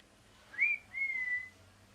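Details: Parrot giving two clear whistled notes, the first short and rising, the second longer and gently falling, in a quiet room.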